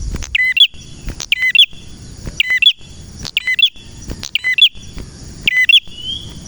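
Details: Active male red prinia in the 'nembak' style: clean, shrill chirped phrases of two or three quick notes, about one each second, ringing against a quiet background.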